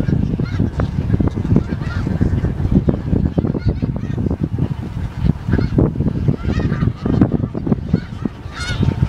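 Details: Snow geese in Dare County, North Carolina, USA, on January 23, 2017, give harsh, nasal honks in a continuous overlapping chorus, many birds calling at once over a low rumbling background.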